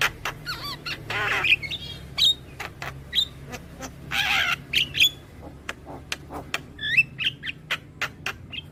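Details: Javan myna song played to train young birds to sing; dry clicks and snapping notes interspersed with raspy hissing bursts and thin whistled slurs, irregularly spaced, low background hum.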